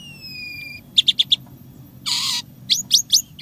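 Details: Jalak suren in gacor song with imitated sounds: a pure level whistle, four quick bright chirps, a loud harsh rasping burst, then three rising squeaky notes.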